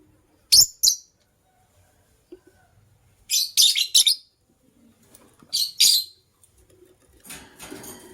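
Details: Morning chirping from a white lovebird couple, sharp high squeaky notes in doubled or tripled clusters, then a short pause, ending with soft rustling noise.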